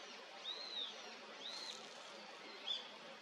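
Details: Male Daurian redstart (Phoenicurus auroreus) giving thin, high whistled notes, three soft arched calls spaced about a second apart over a faint background hiss.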